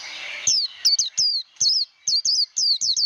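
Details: Japanese white-eye voice-training song in líu đấu style for wild-caught birds: high, ringing, down-slurred twitters in quick groups of two or three, after a brief stretch of soft hiss.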